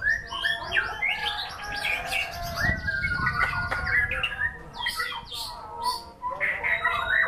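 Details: White-rumped shama in a songbird performance, pouring out mixed high whistles, trills and chattering notes with brief gaps, some sharp clicks, and low background rumble.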